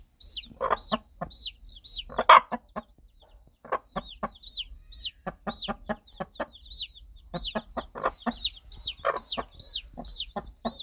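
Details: A hen clucks to her chicks, low quick clucks in bursts and one loud rasping note, mixed with frequent high downcurved chick peeps.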